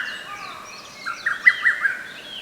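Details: Single quick staccato phrase of a lesser cuckoo in a forest park, 15 May 2024. It is somewhat soft, set against thin high calls of other birds.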